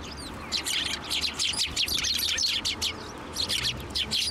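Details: Several hand-fed sparrows at a Tenmangu shrine on 1 January 2024, calling in a busy, near-continuous series of high, clipped tweets with short pauses.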